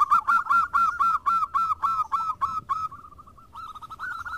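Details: Several local zebra doves sing actively and answer one another. A fast run of short cooing notes repeats about four times per second. A faint trill follows a quieter stretch, and a higher warbled phrase enters near the end.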